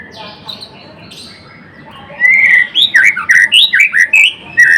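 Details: White-rumped shama of the blorok type in full, lively song: after a quiet start comes a fast run of loud varied whistled notes, sweeping up and down, about eight in two seconds.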